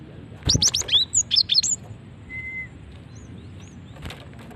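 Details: Female cinereous tit call for luring other birds: one rapid run of about eight sharp, high chirps and upslurred notes, followed by a thin whistle, faint distant chirps and a single click.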